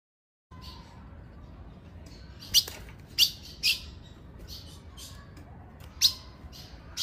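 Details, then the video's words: Calls of a female ultramarine grosbeak, used to excite males: after a brief silence, crisp high chips come irregularly, about six in seven seconds, above a quiet hum. "Seu AZULÃO vai ficar LOUCO - Piado de FÊMEA pra FOGUEAR seu azulão."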